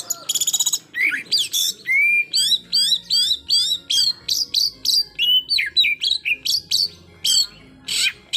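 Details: White-rumped shama with a full song of rapid bursts meant to provoke rival birds: a fast rattling opening, then a dense run of sharp, high, slurred whistles and harsh notes, each burst under half a second, with a faint low hum beneath.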